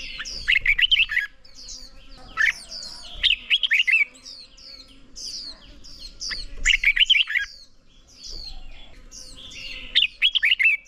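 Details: Red-whiskered bulbul song for training to provoke singing: repeated bursts of fast warbled, bubbling notes every few seconds, with sharp chirps and quieter overlapping twitters from other birds between phrases.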